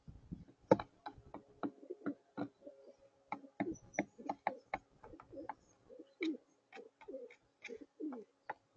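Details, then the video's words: A male pigeon, one of a group, cooing quietly to himself: a steady run of soft, low, throaty coos and short grunting notes, about one or two each second, mixed with faint sharp clicks or taps. "A member of the #pigeon crew chats away to himself"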